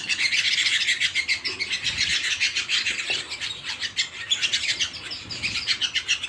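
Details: Canary singing at home in a sustained, lively flow of rapid high trills and chirps, pulsing in quick repeated waves of notes.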